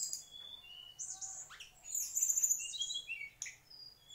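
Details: Song of a mangrove whistler from the mangrove: fast mix of clear mid-pitched whistles, slurred notes and piercing high chirps tumbling together with barely a pause.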